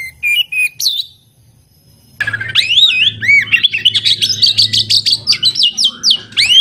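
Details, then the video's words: Kacer, the oriental magpie-robin, from a keeper's collection: a few whistled notes, a pause, then a long rich outpouring of varied looping whistles and quick trills. "Kompilasi Suara Burung Kacer Berkicau Gacor"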